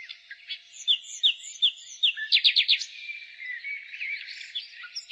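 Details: Spring song of a nightingale: a slow series of five sharp, evenly spaced high notes, then a brief fast burst of repeated clicks, followed by softer warbling over a constant bird chorus.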